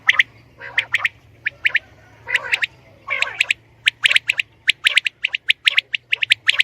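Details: Female common quail calls, recorded for hunting. Sharp, squeaky notes come in pairs and short bursts at an uneven pace, with a few lower, rougher notes and a faint low hum behind them.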